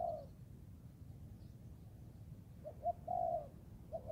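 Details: Young Thai spotted dove training in the forest, giving a short burst of low, mellow cooing late on, with a soft two-note lead-in and a longer coo, over steady low background rumble.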